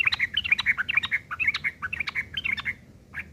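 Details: Sooty-headed bulbul in coarse ngeriwik chatter, filler song for training long-tailed shrikes: a rapid, busy flow of bright chirps and rattling notes for nearly three seconds, ending with one lone note.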